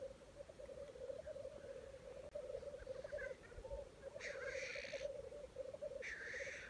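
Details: Black grouse at a lekking site in Wales, early 2020: a continuous low bubbling, cooing drone runs throughout, broken by two harsh, breathy hissing bursts about a second apart near the end.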